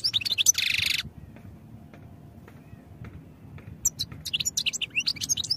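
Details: European goldfinch song for training: a harsh buzzy burst opens, then near silence with a low hum, before a quick run of sharp twittering notes returns at the end.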